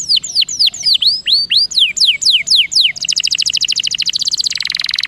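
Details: Canary song meant to stimulate lazy singers into rolling: curved descending whistles give way to a very rapid, buzzy high trill that drops slightly in pitch near the end.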